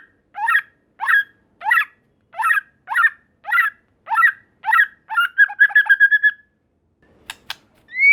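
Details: White-rumped shama song used to draw answers from other shamas: a steady series of harsh, rasping notes roughly every 0.65 seconds, ending in a quick stuttering trill, a click and a rising whistle.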